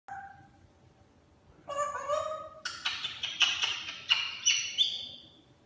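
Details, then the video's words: A pet African grey parrot says his favourite line, "I'm Rick James Bitch!": a brief tone, then a nasal spoken line breaking into five or six harsh, emphatic syllables over about three seconds. "African grey parrot saying"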